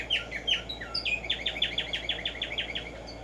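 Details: Tumba yegua, the black-striped sparrow Arremonops conirostris, in morning song: several sliding whistled notes leading into a steady run of about nine clear downslurred notes, some three per second, with soft background noise.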